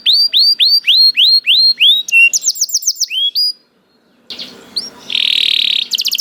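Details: A canary sings a run of rising whistled notes, then a quick trill and a short rising phrase. After a brief silence comes a loud, harsh buzzy burst.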